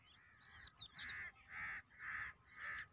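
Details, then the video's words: Grey francolin (teetar) calling: loud, harsh, buzzy notes repeated about every half second, each a broad burst in the mid range, preceded by thinner squeaky rising and falling notes, over a low background rumble. "teetar ki awaz ! teetar awaj"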